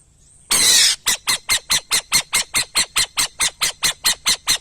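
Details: Burrowing owl opening with a long hissing screech, followed by a fast, even train of about fifteen short, grating notes that continue to the end.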